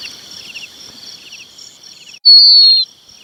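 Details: Red-wattled lapwing chick calling for its parents: one loud, thin, slightly falling whistle about half a second long, after quiet faint ticking and chirping notes.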